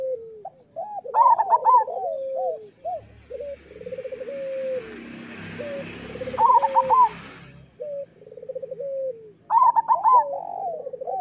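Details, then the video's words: Zebra dove song recorded as master material for moulting local doves. Three bursts of fast trilled coos come about every four seconds. Softer overlapping coo phrases run between them, with a brief hiss midway. "Perkutut lokal gacor Suara Masteran Burung Perkutut Paling Ampuh"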